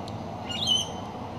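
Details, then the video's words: Wild cockatoo gives one harsh, grating screech, rising to a brief raspy peak and then trailing off, over a soft outdoor hiss. "Wild Cockatoo Screech"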